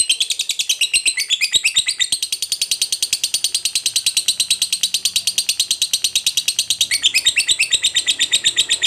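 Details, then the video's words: Ngekek panjang from a lovebird, the long chattering trill meant to rile other lovebirds: an unbroken, very fast, piercing high chatter with steady pulses, barely changing in pitch for nearly nine seconds. "Lovebird Ngekek Panjang PALING JITU Bikin Lovebird Lain EMOSI, BARU DENGAR SEBENTAR Langsung BUNYI"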